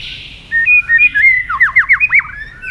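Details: White-rumped shama with fast tail flicks in competitive song: sustained whistles leading into a quick series of looping, swirling whistled notes.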